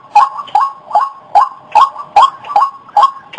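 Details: A White-breasted waterhen repeats a nasal, upslurred 'kwak' note about two and a half times per second in a very even rhythm, with a faint steady tone behind.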